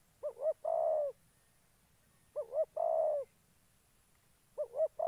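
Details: Spotted dove kept as a trapping decoy in Gia Lai, Vietnam, giving repeated low coo phrases. Each has two quick hollow notes followed by a drawn-out purring croo, with the phrases spaced about two seconds apart in quiet surroundings.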